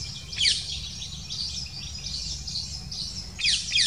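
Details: Black kite at the nest as the female arrives with small prey and feeds the chicks; thin, high chirping notes come at the start and again near the end, with quieter twittering and a low rumble of background noise between.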